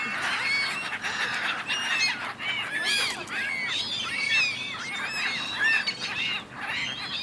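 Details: Gull flock bickering on the Dnipro in Kyiv, Ukraine, in January: many harsh, arched yelping calls overlap continuously, some louder birds standing out above the chorus.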